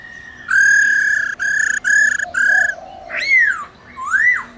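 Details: Forest-style laughingthrush song, meant to call wild birds, with a trilling female; four loud level whistled notes, a soft low warble between, then two arching, swooping slurred whistles.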